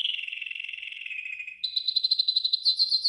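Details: Yellow golden canary singing a training song: a continuous lower rolling trill slides gently downward, then switches to a higher, choppier pulsed trill.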